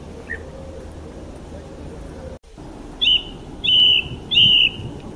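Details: Bird calling: one faint chirp, a brief dropout, then three loud whistled notes, each held about half a second and slightly falling, spaced roughly evenly over a low background rumble.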